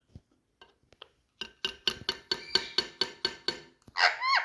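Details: A pet rose-ringed (Indian ringneck) parakeet indoors gives about ten rapid, harsh, clipped notes, roughly four a second, then a drawn-out screech, after a few faint clicks in a small room.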